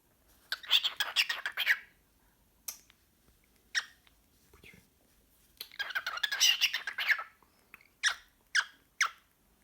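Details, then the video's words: Pet cockatiel, hyperactive and excited at the sight of a sock, giving rapid scratchy chattering bursts with short sharp chirps in between, two long noisy runs separated by single clicks. "My cockatiel is talking to a sock again"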